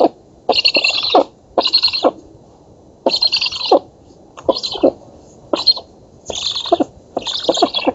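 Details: Black stork nestlings in an oak-tree nest in Poland, filmed by nest camera during feeding on 11 August 2017, give a rapid run of harsh, wheezy hissing bursts about half a second long, mixed with lower rasping notes.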